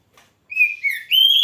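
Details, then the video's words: Kacer, oriental magpie-robin, singing a short loud phrase of sliding whistles, falling slightly then rising into a sustained bright note. "Kicau burung kacer Mantap keren langsung gacor"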